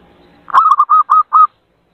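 A zebra dove gives a quick run of five soft, mellow cooing notes over about one second, all at a similar mid pitch, with a faint low hum before it.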